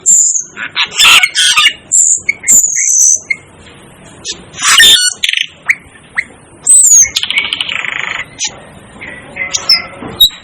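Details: Aplonis panayensis, locally called cucak keling: piercing high whistles and harsh squawks in uneven bursts, ending with a scratchy buzzing note and scattered thin chirps.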